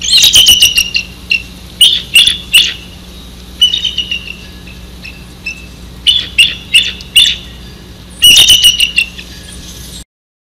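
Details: Along the Maurice River, a bald eagle calls its mate with about five bursts of shrill, rapid, squeaky chittering notes, each series falling slightly, separated by short pauses, plus sharp clicks and a constant low hum.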